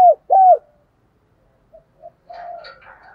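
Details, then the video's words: Spotted dove coo used to lure wild doves: two loud arched coos close together, a pause with two faint notes, then a softer, wavering, buzzy phrase trailing off. "Chim cu gáy _ tiếng thúc và gáy gọi, tiếng chim cu gáy giọng đồng thổ thúc đấu dút bổi về nhanh"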